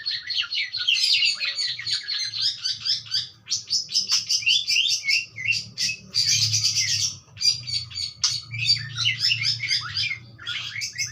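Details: Budgerigar singing a continuous rapid chattering warble of buzzy, scratchy and clicking notes with brief pauses, loud and close.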